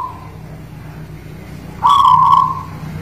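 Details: A guling Murio zebra dove from the Muria mountains by Kudus, singing: a single rolling, trilled coo that starts suddenly and tapers away over about a second, with a low rumbling hum behind it.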